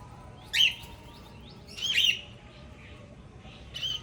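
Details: Tame pet cockatiels chirp in a family group: a few scattered bright, buzzy chirps separated by quiet gaps over a soft background hiss, with fainter calls in between.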